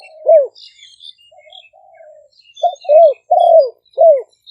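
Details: Spotted dove decoy song, Malay and flamboyant-style strains, captured with a smartphone in Roi Et, northeast Thailand, 2023; short curved coos alternate with a softer drawn phrase, accompanied by scattered high twittering from other birds.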